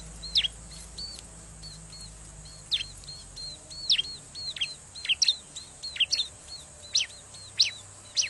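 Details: Bar-winged prinia lure calls for attracting wild birds, recorded by a riverbank: busy, repeated sharp high chirps and short downslurred notes, several per second, with a steady faint hum beneath.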